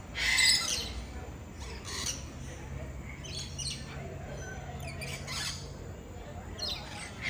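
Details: Parrot at KL Bird Park giving harsh, broadband squawks in short bursts near the start, around two seconds and again late on, with softer chirps between and faint voices and outdoor background throughout.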